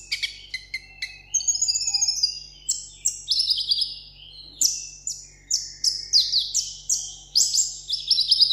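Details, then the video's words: Vietnamese seven-coloured sunbird, a caged pet, sings solo in contest style. Scattered thin chips build into a fast series of loud, high, downward-slurred whistles, repeated about twice a second, with a quieter twittering trill between them. "hút mật 7 màu hót đấu solo"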